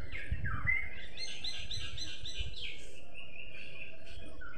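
Sparrow chirps in a quick, overlapping run of bright notes, some sliding down, others buzzy and clustered, over a steady low rumble of wind or distant traffic.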